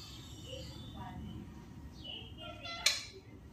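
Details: A pet Indian ringneck parakeet (rose-ringed parakeet) talks in high, nasal, voice-like syllables with rising and falling inflections, ending in a sharp click, over a low room hum.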